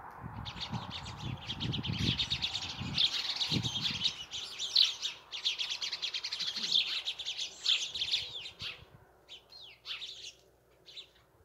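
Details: Sparrows chirping, a dense run of short high chirps and tweets overlapping through most of the stretch, thinning out near the end, with low thumping noise underneath in the first seconds.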